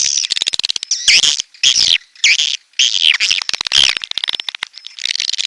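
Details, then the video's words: Red-nest swiftlet (walet sarang merah) calling sound: trains of fast dry clicks alternating with loud, squeaky, downslurred chirps in bursts about every half second. "SUARA BURUNG WALET"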